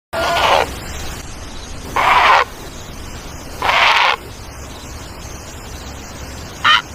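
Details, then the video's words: A great egret gives harsh, rasping croaks, three half-second calls spaced about two seconds apart, then a brief final one, over a steady background hiss. "EGRET BIRD| SOUND/ CALL"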